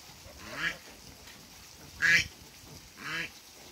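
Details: A couple of African geese meeting at a waterbird farm: three separate nasal honks about a second apart, the middle one loudest and sharpest, with faint background noise between them.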